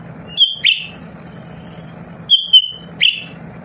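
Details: Captive lesser green leafbird, said to sing all the time so other birds respond. Two phrases: a bright level whistle, then a quick falling buzzy note, with a faint thin high tone between them and a low hum underneath.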